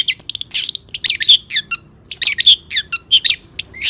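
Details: Energetic long-tailed shrike song full of imitated phrases, used to coax other shrikes into singing: a jumble of scratchy bursts, thin high whistles and sharp downward slurs tumbling together without a steady beat.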